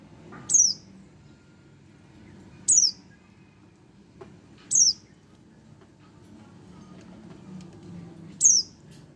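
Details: Oriental white-eye aged one month calling with single high, sharply falling chirps, repeated roughly every two seconds with one longer gap, against a quiet low background.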